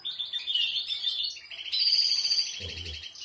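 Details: Canary of Portuguese Harlequin, Spanish, Malinois or Spanish Timbrado breeds singing: a high warbled phrase, then a fast, even rolling trill, with a brief low thump near the end.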